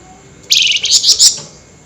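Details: A flameback chatters at night, worked up in the rattling nyerecet style. A dense, grating burst of fast repeated notes lasts under a second, with several louder peaks.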